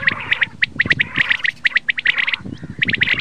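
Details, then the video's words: Common quail (bater) calling: short, sharp, clipped notes in quick clusters of two or three, repeated steadily across the clip, with a faint low murmur beneath. "Bater Ki Latest Awaz, Batair ki Awaz, Bater , Bater fight, Bater voice , Common quail | бедана ови"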